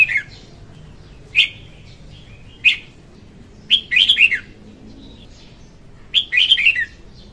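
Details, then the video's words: Red-whiskered bulbul hen's song used to lure birds for trapping: single sharp chirps followed by quick rolling phrases of several whistled notes dipping and rising, repeated every couple of seconds over a quiet low hum. "Tiếng chim chào mào hót Ko Tạp Âm dùng đi bẫy"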